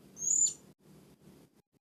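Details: A young, newly caught Blue-crowned hanging parrot learning to vocalize gives one thin, very high, slightly rising squeak, then low rumbling background noise follows.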